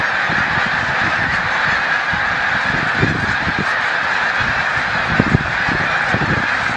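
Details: A huge migrating flock of snow geese rising into flight at Montezuma, New York, 7 March 2022, fills the air with a continuous roar of high honks, punctuated by scattered low thuds.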